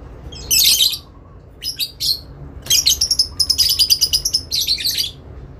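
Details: Adult lovebirds answering one another in long ngekek style, calling to a rival: scratchy, high screeches that break into a rapid stuttering run of about a dozen clipped notes, with quiet gaps between.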